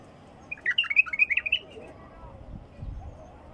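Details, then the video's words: Wild bulbul singing: a single bubbly phrase of quick chirped notes lasting about a second, jumping up and down in a mid-high register, followed by quiet background hiss and faint low rumble. "بلبل خام وحشي"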